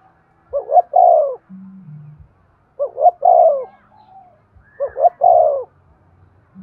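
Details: Spotted dove coo meant to encourage breeding: three clear phrases, each a pair of brief rising notes followed by a longer downward-sliding coo, with a faint low tone in the gaps.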